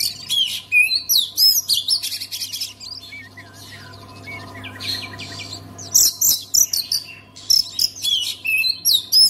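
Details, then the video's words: Oriental magpie-robin song used to coax silent magpie-robins into singing: bursts of high, varied whistles and rapid chattering notes, a quieter gap mid-way, then loud phrases again over a steady low electrical hum. "KACER ANDA MACET BISU? SEKALI DENGAR KICAUAN KACER INI PASTI LANGSUNG GACOR"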